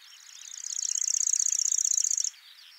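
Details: Wild Lanceolated warbler at Wakka Primeval Flower Garden in Hokkaido, Japan: a short burst of its high, fast, cricket-like reeling song swelling up over half a second and lasting under two seconds, over faint background birdsong.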